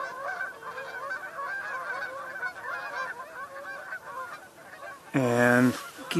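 A flock of geese honks in a busy, overlapping chorus of nasal calls, then one loud, close, drawn-out honk near the end.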